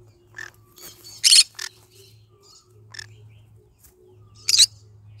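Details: Pet green-cheeked conure, yellow-sided variety, in the morning: scattered harsh squawks and softer chattering notes, with a loud double screech early and another near the end, over a faint low hum.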